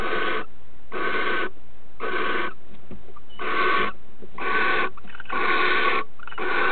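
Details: Barn owl female taking a mouse bride gift from the male before mating, mouse still held in her beak; rasping, wheezy hiss bursts repeated at an uneven pace near one per second, with a longer pause midway.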